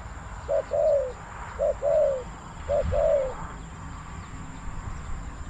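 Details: Spotted dove cooing at a decoy site in Bang Li, Thailand, where two wild birds were drawn in: three phrases, each a short low coo followed by a longer descending coo, roughly every 1.2 seconds, over a steady high electronic whine.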